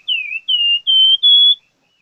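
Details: Loud plamboyan bird song: four pure whistled notes in a row, the first sliding downward, the rest long and steady, each slightly higher than the last, then silence.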